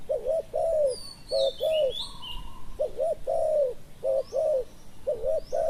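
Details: Thai decoy spotted dove calling to attract wild birds, a rhythmic series of low rounded coos grouped in short doubled notes and longer ones, repeated regularly, a brief steady whistle and other birds' high chirps between phrases.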